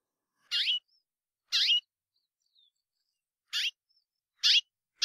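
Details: White-bellied Seedeater (patativa chorona), one of five song variants: short, bright, twangy phrases of high slurred notes, repeated about once a second with gaps between, in a quiet background.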